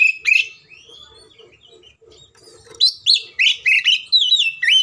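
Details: Oriental magpie-robin fighting song, agitated and meant to provoke others of its kind to sing: one loud whistled note, a long quiet spell with faint chirps, then five or six rising and falling whistled phrases delivered quickly.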